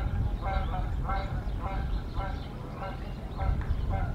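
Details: Wild bald eagle pair on their Decorah nest at dawn, the female showing dominance over the male after a beak-to-beak exchange; seven grating, layered call bursts repeat roughly every half second over constant low-frequency hum.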